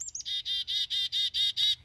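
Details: A Black-capped Chickadee in spring at wetlands in Fayette County, Pennsylvania gives two thin high opening notes, then seven harsh, buzzy 'dee' notes in a quick, even run.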